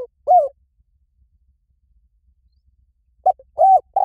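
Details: Spotted dove calling: short, low, hollow cooing notes, one at the start and a quick cluster near the end after a long silence.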